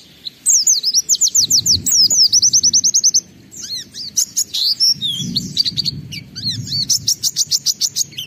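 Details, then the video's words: Oriental white-eye singing in gacor style with loud mimicked filler material, played as a lure to set other white-eyes singing; high rapid trills of rising slurred notes in long bursts, a brief pause, then more fast chattering phrases. "Pleci Gacor MUNTAHKAN Isian Memancing Semua Pleci Ikut Gacor Bongkar Materi"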